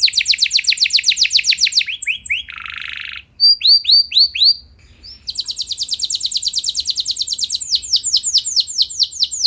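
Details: Canary performing long rolls meant to draw answering song from other canaries: quick high trill, a short harsh buzz, several rising slurred notes, then an extended rapid trill of downslurred notes.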